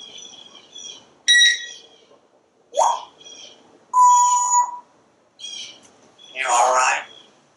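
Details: Parrot talking and whistling on a screened back porch while watching squirrels and birds; a varied string of soft chirps, sharp squeaks, one steady whistled note and a rough word-like burst, spaced about every second.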